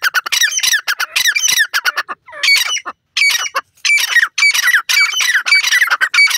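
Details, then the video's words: Grey francolin in full voice: loud, shrill, harsh notes packed into fast chattering bursts with brief pauses between them. Nothing else is audible. "grey francolin voice,dakhni teeter ki full awaaz"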